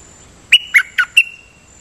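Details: Decoy dok taeng bird singing a quick phrase of four abrupt chirpy notes, alternating higher and lower, each note harsh-edged and short, against a quiet background with a thin constant high tone.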